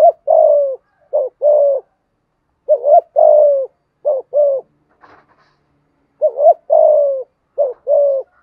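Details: Spotted dove cooing in the 'giọng thổ' and 'giọng hạp bổi' styles. Clusters of short and long mellow coos come in a loose rhythm, with a brief faint rustle during a pause midway.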